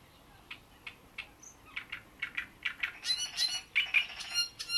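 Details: Great reed warbler singing at Bohdanečský rybník pond: harsh, grating chirps repeated a couple of times a second, rising into a loud, rattling run of croaky and squeaky notes.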